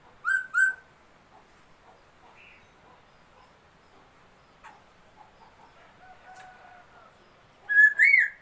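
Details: Laughingthrush, a newly acquired bird, singing loud rich whistled phrases, two at the start and two at the end, with faint scattered chirps and a thin tone in the quiet middle.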